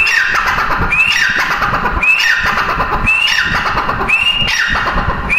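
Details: Female grey francolin: shrill, upswept whistles, each trailing into a falling tail, repeated rhythmically about once a second, five to six times.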